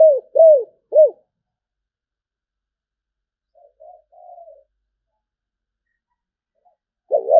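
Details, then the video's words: Spotted dove cooing in the sấm bầu style: three short, deep, downslurred coos, then near silence broken by faint murmured notes and the start of another coo. "Tiếng chim cu gáy chuẩn sấm bầu"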